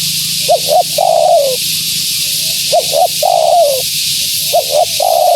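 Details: Calling female spotted dove to attract wild ones, three phrases of two short upswept notes then a sustained wavering coo, with a low hum and hiss beneath.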